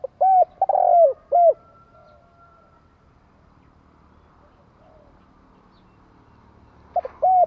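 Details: Spotted dove kept by a bird keeper in Vietnam, a decoy bird trained for luring; loud cooing phrase of short notes and a drawn-out swelling coo, then silence, a second phrase beginning at the end.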